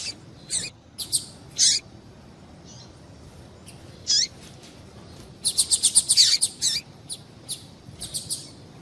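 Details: Female double-collared seedeater calling to stimulate males to sing: short, high, sharp chirps, a few scattered singly, then a fast run of about eight clipped notes near the middle, followed by spaced chirps.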